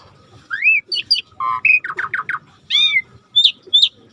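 A starling sings a varied phrase: rising whistles, a run of four quick buzzy notes, then clear high whistles, over a faint wash of background noise.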